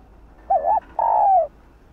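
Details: Cooing female spotted dove, used to spur males into calling: a wavering double coo followed by a long, steady coo that slides downward at the end, in a quiet setting.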